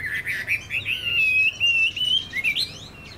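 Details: Chinese hwamei kept in a cage as a songbird, said to sing well. It gives a bright continuous run of whistled notes, wavering and rising, with one long sustained note and quick rising flourishes near the end, in a quiet setting.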